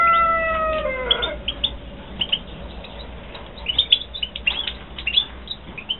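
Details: Captive-bred European goldfinches (Carduelis carduelis), 2016: a rooster crows at the start, then scattered bright, quick twittering notes and chirps follow in short bursts over low background noise.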